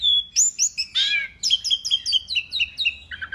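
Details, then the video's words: Vigorous masteran song of an Asian pied starling (jalak suren): a clear whistle, a harsh rasping burst, then a fast steady series of short falling whistled notes. "kicau jalak suren masteran gacor"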